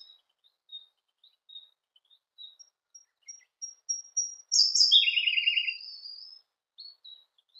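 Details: Siberian blue robin song: thin, high, piping notes repeated slowly and speeding up, then a loud burst falling into a rapid, rattling trill at lower pitch. A few soft high notes follow.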